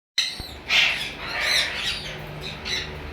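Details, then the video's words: Breeding pair of sun conure parrots give harsh, raspy screeches, three loud shrill, grating bursts over about three seconds, with a steady background hum. "sun conure parrot"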